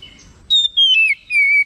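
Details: Oriental magpie-robin in agitated response, giving three long clear whistles, the first high and steady, the next gliding downward, the last a level lower note, spaced by brief pauses.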